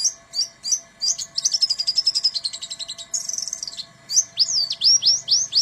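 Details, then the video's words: Song of Buxton's white-eye in canary-mimicking bursts (tembakan kenari). It opens with spaced chirps, then a long rapid trill and a buzzy stretch, and ends with quick downslurred whistles. A steady faint hum is present throughout. "BURUNG PLECI BUXTONI (TEMBAKAN BURUNG KENARI)"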